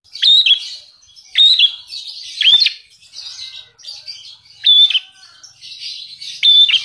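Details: Lovebird singing an imitation of the Javan prinia (prenjak alas), used as fill material in its song: sharp, bright chirped notes with a quick upward flick, given in bursts about every one to two seconds with softer twittering between.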